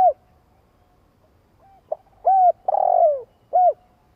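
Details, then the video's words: Red collared dove cooing, used as a lure call: soft, low, rounded coos with a brief stutter, then a longer hoarse buzzy coo framed by short hooted notes, spaced under a second apart; otherwise silent. "Chim cu gáy tiếng gù dài kích bổi nge là gáy"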